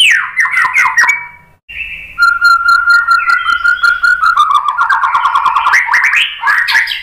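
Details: White-rumped shama singing as a lure to stir other shamas: a cascade of falling chirps, a brief pause, then a long steady whistle that breaks into fast rich warbled trills.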